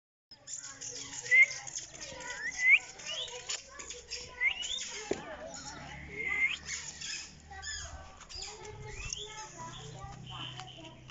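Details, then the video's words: Parrots calling naturally: short, rising whistled chirps come in scattered bursts among softer chattering notes, over a faint low rumble throughout. "Natural Parrot Voices"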